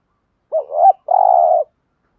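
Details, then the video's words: One spotted dove cooing phrase in the thúc gù style, made of a quick rising-falling pair of notes and then a sustained, grainy, level coo. "thuc gu bài bản chim cu gáy"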